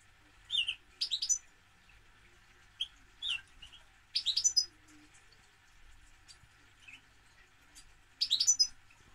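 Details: European goldfinch song: short bright bursts of high twittering and tinkling notes, separated by pauses of one to three seconds, over a faint steady background hum.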